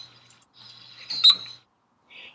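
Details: In a backyard, a male Anna's hummingbird performs a courtship dive in front of females, fanning its tail to make one sharp, high, explosive chirp, led in by a thin, steady whistle, with a faint low hum underneath.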